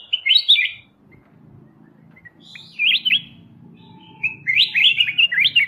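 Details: Black-crested bulbul singing: short bursts of bright, warbled, up-and-down notes, three phrases spaced over a few seconds with a faint low rumble beneath.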